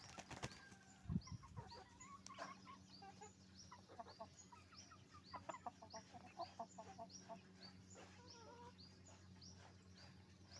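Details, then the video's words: Chicken farm flock of roosters and hens giving scattered clucks and short cackles over a strong low droning hum, with a thud near the start. "the sound of a chicken farm, roosters and hens making noise"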